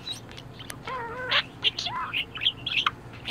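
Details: Budgerigar in a very good mood, chattering busily: a fast jumble of short chirps, warbled notes and buzzy clicks, with one wavering whistled phrase near the start, over a soft low hum.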